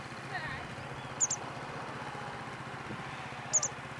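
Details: Two White-whiskered Laughingthrushes, a Taiwan endemic, at Kunyang parking lot on Hehuan Mountain on 14 September 2015. One is possibly a juvenile, repeatedly fluttering its wings and calling as it follows its parent. Two thin, very high, sharp double notes about two seconds apart, over low hiss and rumble.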